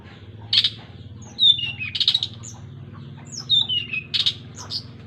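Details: Long-tailed shrike song of scratchy chattering bursts and slurred descending whistles, spaced irregularly about every second, with a constant low hum underneath.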